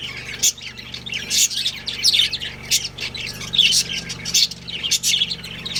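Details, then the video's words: Chirping from a budgerigar breeding pair: bursts of high, rasping chirps and twittering warbles come in quick clusters about every half second, with a low background hum. "Adorable Budgies Chirping Sounds"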